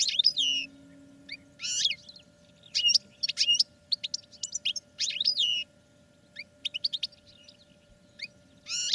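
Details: European goldfinches singing in cages for training pour out continuous twittering song, rising swept notes and rapid chirp series in repeated phrases with only brief pauses between them.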